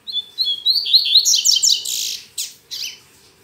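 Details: Pet double-collared seedeater in full morning song on a Saturday, not yet strong: clipped whistles rising into a dense burst of rapid, scratchy high notes, then two separate harsh trailing calls.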